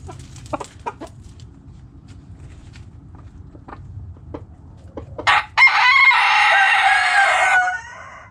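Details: Backyard chickens: scattered soft hen clucks, then a rooster's loud, sustained, harmonic crow lasting about two seconds near the end.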